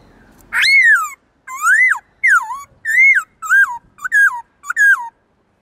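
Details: Black-throated laughingthrush, a kept bird, singing a varied forest-style song: seven rich, whistled phrases, each rising then falling with a twist, spaced about one second apart and growing slightly quicker toward the end.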